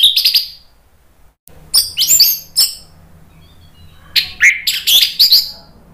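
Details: Orange-headed thrush in full ngeplong gacor song: a short high burst, a pause, then clusters of sharp chirps and slurred whistles, loud and fast, over a faint low background hum.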